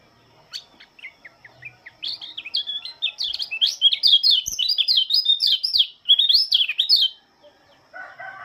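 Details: Oriental white-eye from Lombok singing in the morning: a few scattered high chirps, then about five seconds of rapid, thin, twittering warbles that rise and fall without pause. A rooster crows faintly at the end.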